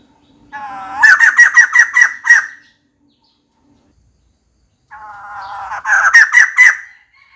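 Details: Female white-crested laughingthrush calling for a mate: two bouts of rising, harmonic, nasal notes that quicken into a loud stuttering laughing chatter of about six pulses, separated by a few seconds of silence.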